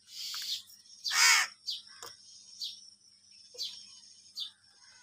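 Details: Angry crows fighting over food give one loud, harsh, ragged caw of about a third of a second, surrounded by short, thin, high chirps from other birds and a quiet, steady background.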